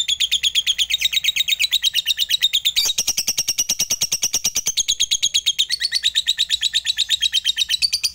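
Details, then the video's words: A fighter lovebird in long ngekek chatter, a lure to call rivals: a rapid unbroken string of shrill buzzy notes whose tone shifts higher and harsher near the three-second mark, then keeps racing on. "Pancingan LB FIGHTER MEMANGGIL LAWAN, Berkat Suaranya Banyak Lovebird TAK LAGI LESU DAN BISU"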